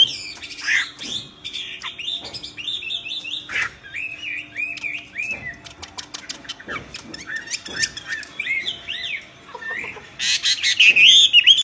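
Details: Myna singing loudly: a long mix of chattering, warbled whistles and repeated sharp clicks and knocks, with a burst of very high, bright, twisting whistles near the end.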